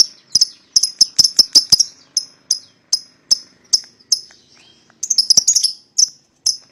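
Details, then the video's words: Young lovebirds in a pair give quick runs of sharp high ticks, then slower single clicks, then another rapid ticking run, meant to draw a rival bird into singing. "PASANGAN LOVEBIRD PAUD,!Pancingan Memanggil Lawan Agar Ikutan Bunyi"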